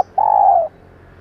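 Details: A single long, smooth coo from a female spotted dove used as a lure for males, steady then slightly falling, lasting about half a second.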